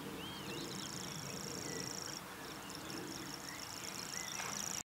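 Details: Common grasshopper warbler giving its high, steady mechanical reel, which pauses briefly midway and then resumes, over a busy background of other birds' whistles and chirps and a low rural rumble.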